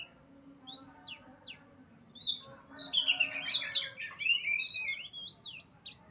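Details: Oriental magpie-robin, Utan Kayu, Matraman, opening with a few sharp down-slurred whistles, then a rich, rapid medley of warbled and mimic-like notes, loud and continuous for several seconds, with a faint steady hum behind.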